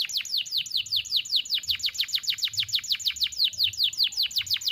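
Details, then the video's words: Canary in full song, a long single-breath phrase with sharp bursts, used as tutor song for young canaries: a fast run of high descending whistled notes, about two per second, repeating evenly for nearly five seconds. "KENARI GACOR NEMBAK TAJAM , DURASI PANJANG SATU NAFAS || CUIT CUIT MASTERAN KENARI PAUD AGAR BUNYI"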